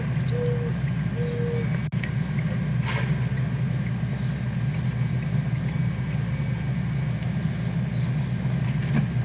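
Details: Northern cardinal fledglings leaving the nest and learning to fly, 13 August 2020, live stream: many thin, very high chips in loose bursts, plus two short lower whistled notes, over a steady low hum.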